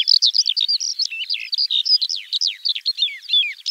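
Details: Skylark song: rapid, high, jumbled twittering of slurred chirps and whistles, run together without pause in a lively, breathless flow.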